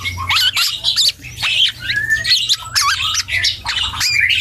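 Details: Young dark-throated oriole learning to sing, pouring out high squeaky chirps mixed with drawn, slightly rising whistled slurs in quick succession, over a soft low hum.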